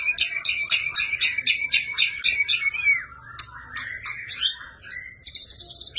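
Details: White-rumped shama fighting song with full 'isian', meant for training birds: quick regular chips repeated about four per second, a slurred whistle, scattered clicks, then a rising high buzzy phrase.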